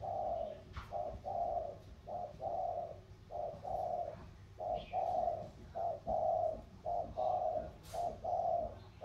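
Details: Thổ-style spotted dove cooing at a contest between a Sóc Trăng river-lowland bird and a Cam Ranh mountain bird in Vietnam. Steady run of soft hooting pairs, each a brief note plus a drawn-out one, about every second.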